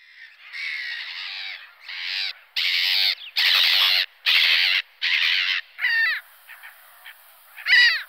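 Black-headed gull giving a series of harsh, grating kraah calls about once a second, ending in shorter, sharper squawks.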